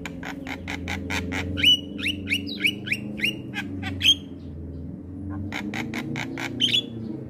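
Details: Javan myna in full voice, nodding while singing, recorded as a tutor song for cage mynas: rapid runs of harsh chirps alternate with sliding whistled notes, loud and busy, above a continuous low droning hum.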